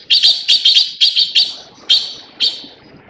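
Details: Harsh, scratchy chatter from a Taiwan blue magpie in Taiwan: a rapid run of about eight rasping notes, some doubled, slowing and growing softer toward the end.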